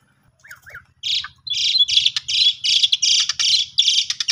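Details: {'caption': 'Asian pied starling song used as a lure to provoke a silent starling into singing; loud harsh, buzzy bursts repeated rapidly after two soft rising notes, with faint low background hum.'}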